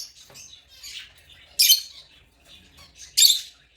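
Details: Lovebirds of the African kind: soft, high twittering notes, then two loud, harsh squawks about one and a half seconds apart, quiet between them.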